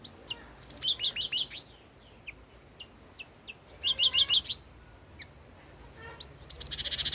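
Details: Song of an old wild red-whiskered bulbul, with two rapid runs of clear chirps rising at the end, loose single notes between, and a dense fast chatter closing the recording.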